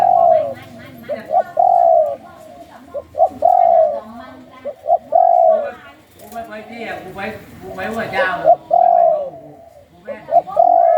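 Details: Spotted dove from a Thai 'sai khu ang' song-style breeding line, held in a cage, giving long, smooth, falling coos alternating with short paired notes. Speech and a louder chattering sound break in midway.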